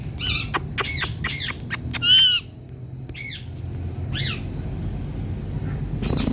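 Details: Female Indian ringneck parakeet, a talking pet parrot, calling; a run of sharp harsh squawks and clicks in the first two seconds, then scattered squawks over a low background hum.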